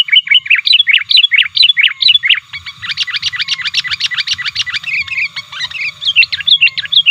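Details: Sooty-headed bulbul calling and challenging rivals for luring wild birds: bubbly phrases give way to a fast run of rapid chattering notes, then bubbly phrases again.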